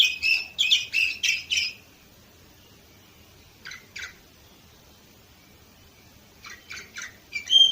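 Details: Canary song recorded in Varna, Bulgaria, in 2018: a rapid burst of loud buzzy trilled notes, then about two seconds of near silence, a pair of short chirps, more quiet, and a closing flurry of chirps and a whistle.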